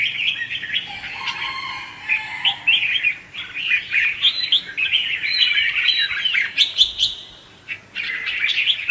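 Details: Red-whiskered bulbul in chè-style song used to lure birds into traps: bursts of fast twittering and warbled notes separated by brief pauses, loudest in the second half.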